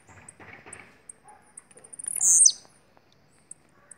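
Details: Bahian blue-black grassquit with one loud, high, buzzy burst that ends in a quick downward slur, preceded and followed by soft ticks and faint background noise.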